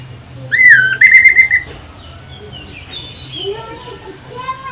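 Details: Orange-headed thrush song used as a lure to prompt other birds to sing: a loud, shrill, sweet whistled phrase, first falling and then held level, lasting about one second, followed by faint softer whistles and background noise.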